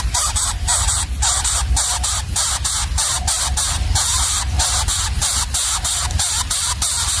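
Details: Loud hissing static pulses in a rapid, uneven rhythm over a deep low hum, with no animal voice.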